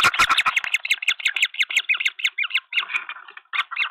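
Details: Harsh, cackling green wood hoopoe notes from a nest in Pretoria, South Africa, in February, where a flock helps feed three chicks; notes come in quick, slightly uneven bursts with sharp knocks and scraping at the start.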